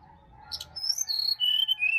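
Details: Sirdadu singing wild in Bali forest, a recording used as a morning prompt for a reluctant caged bird: a quick high chip, then a run of sweet whistles that fall in pitch step by step, with a faint low hum.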